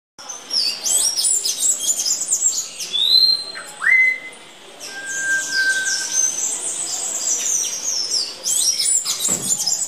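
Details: A blue-grey tanager eating banana gives a busy stream of high, thin chirps and twitters, with a few clearer whistled notes and a long, steady whistle near the middle.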